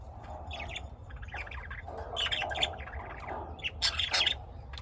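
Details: Lovebirds kept at home in Austin, Texas, giving scattered squawky chirps and short harsh notes in irregular bursts, fairly distant, over a low steady hum.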